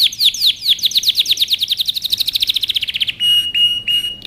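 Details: Song of a canary meant to train young birds: rapid falling whistled notes accelerate into a tight rattling trill, then switch to three flat, steady buzzy tones repeated about every half second.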